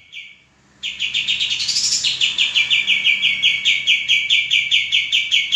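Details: Male common iora kept for training cage birds, delivering a long rapid trill of repeated short whistled notes, roughly five per second, after a brief opening note.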